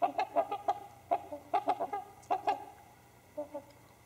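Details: Trumpeter swans settling down for the night give short, nasal, horn-like honks, often in quick pairs, at an uneven pace over a quiet background, then fall silent near the end.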